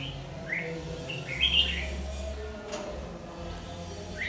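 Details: Red-whiskered bulbul ('má lỡ' type) singing while being trapped with a decoy bird, 22 August 2019: a brisk burst of bright, slurred whistled notes in the first second and a half, then a lone note near the end, with steady background rumble.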